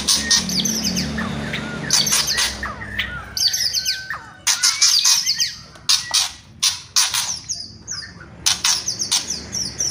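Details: Murai batu, or white-rumped shama, singing kretekan and whistles: harsh crackling bursts in quick clusters, mixed with brief slurred whistles, sustained over several phrases.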